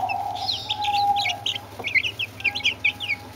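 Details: A group of Brahma chicks and two Orpington chicks calling: a stream of shrill, descending peeps from several chicks at once, with a sustained whistle-like tone early on and a constant low hum beneath.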